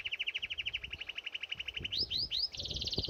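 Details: Canary bathing at a birdbath sings a steady rapid trill of evenly repeated notes, then three upward-swept whistles and a higher fast trill, with soft splashes beneath.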